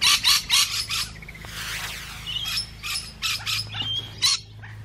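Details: Musk lorikeets (Glossopsitta concinna) feeding give shrill, rasping screeches in quick bursts of three or four, with a few thinner whistled notes between them.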